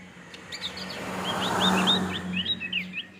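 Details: Male Javan grey-throated white-eye giving a quick series of short, sharply down-slurred whistled notes, about a dozen in three seconds, over a steady low hum and broadband background noise.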